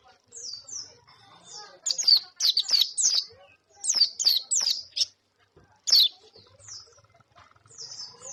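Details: White-eye singing: scattered high, thin downslurred chirps, then a run of bright sharp notes in the middle, easing back to sparse twittering phrases.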